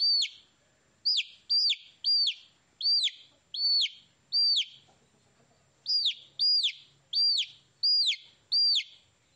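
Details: Young chickens chirping in quick high-pitched falling notes, often doubled, in bursts separated by brief pauses, with faint low background rumble.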